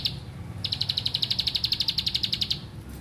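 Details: A bar-winged prinia delivers a two-second run of quick, bright repeated chips at a steady pace over a low background hum, with a faint lead-in note at the start.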